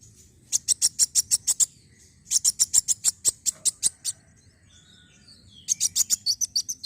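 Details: High, sharp sunbird chirps in fast runs of about ten notes, three phrases with quiet spaces between, recorded to coax other birds into song.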